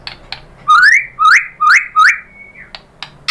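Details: White-rumped shama song used as a lure to provoke a caged shama into answering: four loud rising whistled slurs in a row, each ending in a flat note, framed by short sharp clicks.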